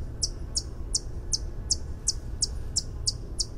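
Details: White-eared hummingbird (Basilinna leucotis) singing a steady series of high, metallic tink notes, about three per second, ten in all, over a low background rumble.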